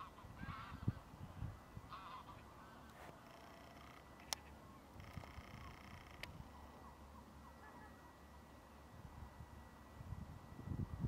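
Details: Greylag geese (Anser anser) at the Lagunska ribogojnica nature reserve on 17 March 2023 give harsh, nasal honks in short bursts through the first six seconds, over steady low wind rumble.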